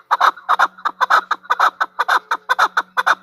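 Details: A female chukar partridge delivers loud, rhythmic chuck notes, often in pairs, about two per second and very regular, over a faint steady low hum.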